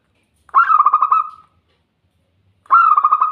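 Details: Zebra dove song used as training therapy for singing: a quick burst of trilled, pulsing coos lasting about a second, then silence, then another rolling phrase beginning.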